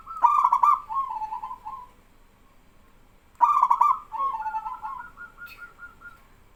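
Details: A local male zebra dove calls out and other doves respond. Two phrases about three seconds apart each begin with a rapid rattling burst and flow into a soft bubbling coo.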